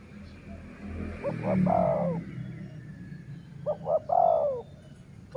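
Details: Dove calling in a decoy-trapping setting: two phrases of twin short coos and then a long, downward-sliding coo. Low rumbling background noise sits under the first phrase, and faint chirps are heard.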